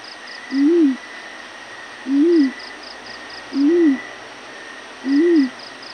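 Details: Yellow-breasted fruit dove calling in the morning: four low, soft, rising-then-falling hoots, each under half a second, spaced about one and a half seconds apart, over a steady faint high hum and soft pulsing insect-like buzzes.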